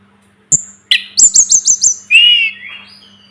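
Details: Sunda robin (sulingan gunung) in a tutor recording for training birds: two sharp clicks and a buzzy note lead into five evenly spaced high chirps. A longer, slightly wavering whistle tails off, over a low electrical hum.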